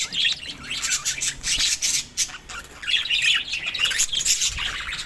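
Budgerigars give a busy, scratchy warbling chatter of high chirps and squawks during mating.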